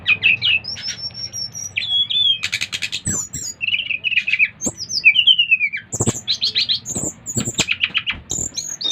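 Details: Lively song of a Bali brown-chested jungle flycatcher meant to draw other birds into singing, mixing clear high whistles, slurred downward notes and repeated harsh rattling bursts in quick succession.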